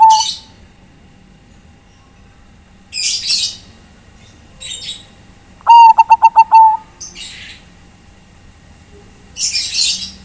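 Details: Calling companions, a Bangkok-type zebra dove gives one cooing phrase of quick stuttered notes slurring into a long mellow tone, set among several loud broadband hissing bursts.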